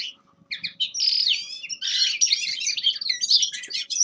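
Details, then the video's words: Young male common linnet giving winter practice song: a few opening chirps, then a loud continuous rush of high twittering and trilled notes over faint low background noise. "Распевка Реполовов песня Carduelis cannabina birdsong"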